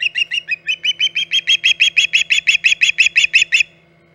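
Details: Loud, clear series of piercing chirps from an osprey at Hog Island nest, 14 August 2019, around 11:45 am, roughly three per second for nearly four seconds, then silence.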